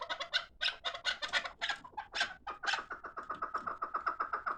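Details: Chukar partridge kept for fighting: harsh, noisy bursts give way to a steady, quick series of clucking chuk notes.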